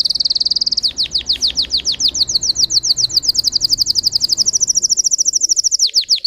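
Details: Canary of the Russian singing type runs a long high trill of quick downward-stroked notes, fast at first, then slightly slower and even, for over six seconds.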